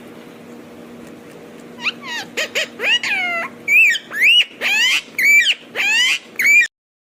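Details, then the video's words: Indian ringneck parakeet talking, starting after a quiet spell of low hum: a string of loud, sweeping, whistled and harsh speech-like syllables, roughly a dozen in under five seconds, ending abruptly. "Ringneck parrot talking"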